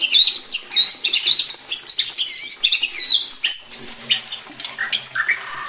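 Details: Dense, varied song of a white-rumped shama, played to stir other shamas into singing: tumbling high twisting whistles and chirps packed closely, ending with a lower rising whistle.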